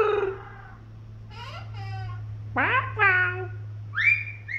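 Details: A Princess parrot, described as clowning around, gives a run of varied, nasal squawks and chattering notes, some sweeping sharply upward, over a steady low indoor hum.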